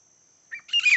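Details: Wild grey francolin, known locally as titar, recorded during fighting and hunting; a loud, brief harsh squawking call in two bursts, the second burst bright and strident, against a quiet background.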